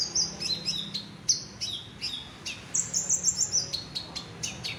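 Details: Caged Olive-backed sunbird singing a high, thin medley: sharp downslurred chips, short whistled notes and a quick sparkling trill near the end, notes coming about three per second.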